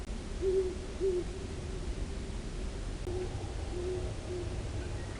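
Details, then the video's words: Great horned owl at Long Swamp Sanctuary, recorded by an acoustic monitor: low, soft hoots, a pair, a pause, then three more in an uneven series over steady background hiss and low rumble. "SOUNDS OF GREAT HORNED OWL AT LONG SWAMP SANCTUARY"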